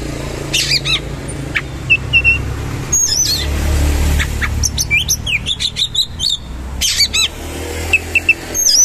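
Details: Oriental magpie-robin singing coarse material, shooting rolls and rich fillers. Harsh bursts, short flat whistles and a dense run of rapid up-and-down whistled notes and chirps, over a steady low rumble.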